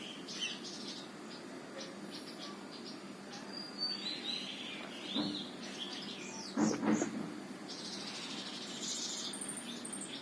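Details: Sunbird calling near a house in New Delhi's Qutab Institutional Area: bright, high chirps and twitters scattered irregularly, with a few louder thumps and rustles and a low background hum.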